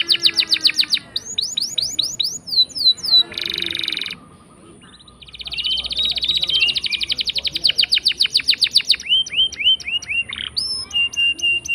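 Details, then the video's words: Long canary roll meant to prompt silent canaries into song: fast repeated trills and falling whistles, a brief pause, then a long dense buzzy roll and upswept notes. "Pancingan Kenari Gacor Ngeroll panjang!! Buat Kenari Macet Bunyi pun Langsung Respon"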